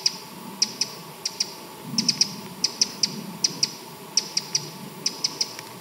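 A Eurasian wren gives hard, dry ticking calls, single or in quick pairs and triplets, about twice a second, over a faint low hum.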